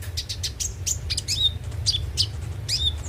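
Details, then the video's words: Konin, or Van Hasselt's sunbird, lure song for prompting a bird to sing: dense run of thin, high twittering notes and short sliding whistles, almost without pause, over a low rumbling background. "pancingan suara burung KONIN agar rajin bunyi tiap hari"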